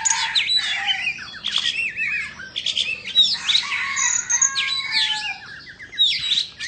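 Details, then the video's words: Indonesian Oriental magpie-robin singing while dancing and fanning its tail: a rich, fast medley of sharp whistles, rising and falling slurred notes and scratchy chatter, loud and continuous with brief gaps. "Choè Than Indo hót múa xoè"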